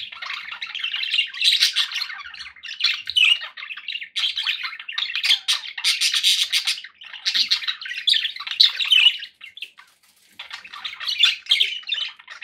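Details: Budgerigars kept as pets, a steady busy warbling chatter mixing harsh squawks and quick tweets, almost unbroken except for a short lull before the final burst.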